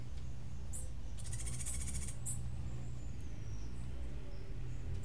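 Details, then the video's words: Cuban grassquit singing in the unusual martillito style. A short sharp note comes first, then a rapid, very high buzzing trill of even beats lasts about a second, then scattered thin chirps follow, with a constant low hum underneath. "Tomeguin de la tierra Cantando UNICO (Estilo Martillito)"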